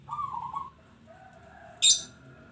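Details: Local zebra dove singing: a low, quavering, trilled cooing phrase at the start, then quiet with a faint steady tone, broken near the end by a sharp high chirp from another bird.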